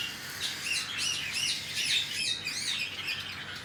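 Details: Cockatiel chicks at feeding time give a continuous run of wavering, buzzy, rasping cheeps, rising and falling quickly in pitch with no real pauses.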